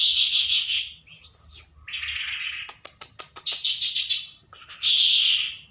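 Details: A hand-tame, trained lark sings out in the open, alternating rich buzzy warbles with a run of sharp clicking ticks and high whistled notes, the phrases flowing rapidly one into the next.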